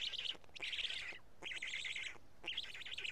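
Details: At a Karula black stork nest during the 31 May 2017 feeding with two big fish, chicks eating: wavering, nasal squeals in wobbly trills, three bursts under a second each.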